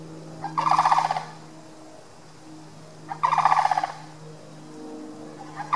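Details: Sandhill cranes walking down a neighborhood street give two loud, rolling, rattled trumpeting calls about two and a half seconds apart as they scurry away from a following dog, over a steady low engine-like hum.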